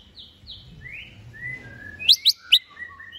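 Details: Greater green leafbird readied for a contest: soft descending whistled phrases over low background noise, then three loud sharp high chips and short lower whistles.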